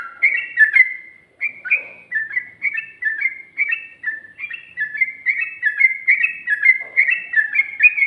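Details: Rapid 'ropel' song of a sooty-headed bulbul, including 'ngikluk' and 'ngGARUDA' turns: clear, sweet whistled notes flicking up and down in a steady, lively chain, with a quiet background.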